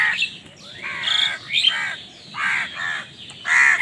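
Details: Rapid overlapping crow caws during a squabble for food, several hoarse rising-falling calls in quick succession filling the clip, with other birds faintly chirping.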